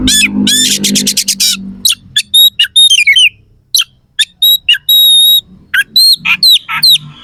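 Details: Oriental magpie-robin in loud, excited song with harsh fill-in phrases: an opening rapid rattle, then varied whistles, buzzy slurs and sustained pure high notes in quick succession.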